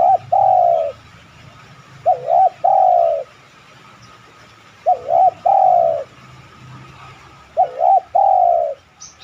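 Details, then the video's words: Spotted dove lure cooing: four phrases of a quick double warble leading into a sustained, descending coo, spaced roughly every two and a half seconds, with faint low background hum. "tekukur mana yang ga tergoda bunyi manggung..pancingan anggungan terbaik."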